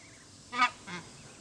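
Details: Emperor goose giving two short nasal honks about a third of a second apart, each with stacked harmonics, over a quiet background.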